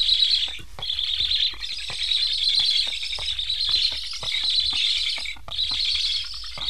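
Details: Hungry Black stork chicks in a nest in Estonia begging after their parents, recently fitted with transmitters, return but fly off without feeding them; a continuous high, hissing chatter with soft clicks and a brief break near the start.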